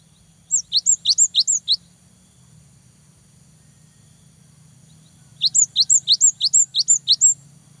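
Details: Cinereous tit in full song, used to provoke rival birds and stimulate young tits to sing daily: two bursts of high, sharp two-note whistles, each rising then dropping, repeated rapidly about six times, over a low steady hum.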